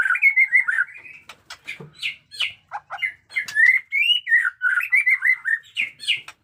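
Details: Caged white-rumped shama of the bearded type, showing fighting spirit with its new feathers coming in. It pours out a fast, varied song of rich whistles, sharp clicks and upward slurs, dense and unbroken for over six seconds.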